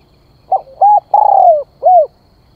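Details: Spotted dove giving its lure call to attract birds. One clear mellow phrase with a brief opening note, a smooth coo, an extended vibrating coo gliding downward and a rounded closing coo. A faint low hum sits underneath.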